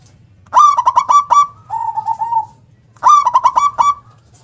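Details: Local zebra dove, singing actively with a big, loud, punchy voice and a sharp 'KUNG' ending. Two cooing phrases of quick, stuttering pulsed notes, the first trailing into a softer, wavering coo. A low steady hum lies beneath.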